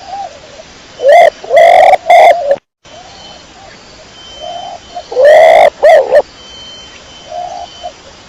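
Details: Pigeon of the dara kecor type uttering three gruff coos, a brief silent cut, then another loud pair of rasping coos, while quieter mellow coos sound faintly behind.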